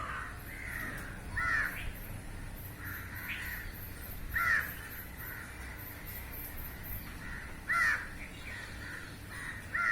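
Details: A large flock of crows feeding on flying insects in the air, calling from a rooftop; scattered harsh caws, a few louder and closer, with a faint rhythmic ticking and low hum behind.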